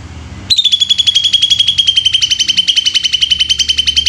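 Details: Greater green leafbird giving the 'tembakan' song style: a rapid, even burst of sharp, high, slightly buzzy notes at a steady pitch, about four per second, starting abruptly and continuing without pause; faint low hum underneath.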